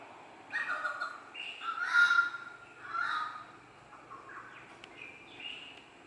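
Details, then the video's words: Orange-footed scrubfowl at dawn in rainforest at Port Douglas, northern Queensland, Australia, a bird that also called nightly after midnight: loud harsh screeching bursts, one a drawn-out level wail, followed by fainter, thinner calls of other birds. "The screecher is the red-footed scrub fowl, who carried on after midnight, nightly."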